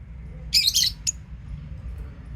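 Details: Lovebirds chirping: a rapid burst of shrill, scratchy high chirps packed into under half a second, followed by one short sharp chirp, over a low steady background rumble.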